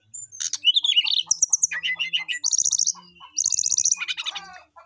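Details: Brown-chested jungle flycatcher calling a rival in a lively, varied whistled song: rapid buzzy trills, stuttering high chirp series and descending notes in quick succession, with faint rhythmic low ticks beneath.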